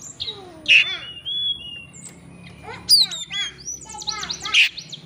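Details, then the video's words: Oriental magpie-robin used as a lure so a rival bird reveals its repertoire: rich mix of sliding whistles, quick descending trills and sharp bright notes in varied, uneven phrasing. "kacer ngeplay cari lawan. pancingan kacer agar bongkar isian.!!!"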